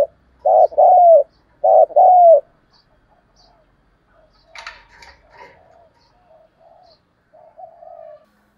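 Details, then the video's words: Spotted dove kept as a decoy gives two loud paired cooing phrases of low, hollow notes, then quieter scattered coos and brief clattering noises fill the rest. "cu gáy kích bổi nhanh nổi/ cu gáy mồi cây gáy gọi giọng chuẩn hay"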